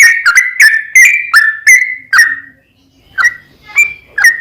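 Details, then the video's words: A sooty-headed bulbul gives its fast 'ropel panjang' song, used to stir another bird into singing. A quick burst of six loud whistled notes stops, then sparser notes resume after a short quiet gap. "SUARA TRucukan Gacor ROPEL PANJANG PAncingan TRucukan Agar BUnyi"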